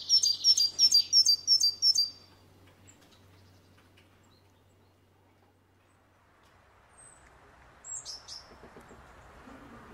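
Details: Great tit at a window feeder where birds eat walnuts, hazelnuts and seeds: a burst of six evenly spaced high chipping notes, followed by near silence, then a few faint high twitters and soft rustling.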